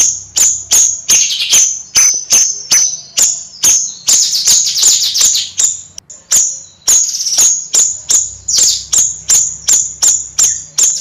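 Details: Bayeman bird in sustained nyrecet song: a long run of sharp high clicks, about two and a half per second, with a dense stretch of rapid buzzy chatter in the middle.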